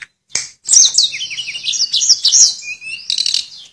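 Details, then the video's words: Sulingan (Tledekan) song, flute-like 'nyuling' style: after a sharp click, a fast tumbling run of high twisting whistles, ending in a lower level whistle and a buzzy high trill. "Burung Tledekan Gacor Suara Nyuling Muntahin Isian FULL"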